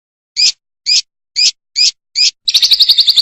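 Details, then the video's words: Fischer's lovebird singing, recorded for teaching young birds to sing: five harsh, high chirps spaced about half a second apart, then a fast, rattling trill of rapid pulses. "love bird singing"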